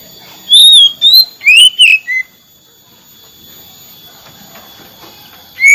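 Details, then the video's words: Oriental magpie-robin whistling, meant to get a quiet bird singing again: a few loud slurred whistles and a rising note packed into two seconds, then near silence and one last whistle at the end. "Terapi kacer macet bunyi , hitungan detik kembali gacor terus menerus"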